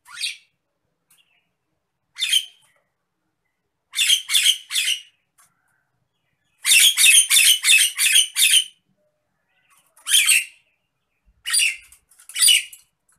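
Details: Agitated Nias hill myna in a tutor recording: loud, harsh, raspy squawks in bursts, some single and some in rapid runs of four to six, separated by silent gaps over about thirteen seconds.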